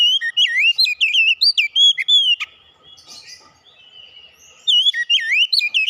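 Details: Oriental magpie-robin (kacer) singing: a rapid phrase of loud whistled, swooping and warbled notes, a silent gap near the middle, then the lively phrase resumes.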